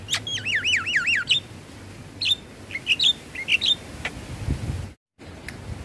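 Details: {'text': 'Javan myna, sound played morning and evening to coax stressed caged mynas into singing; a rolling warbled whistle repeated four times, then scattered sharp whistled notes and a brief gap.'}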